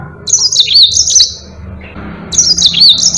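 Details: Lively Mozambique canary song meant as tutoring material for other cage birds: a high, fast warbled phrase with looping slurred notes lasting about a second, a pause, then another similar phrase starting, over a soft low hum.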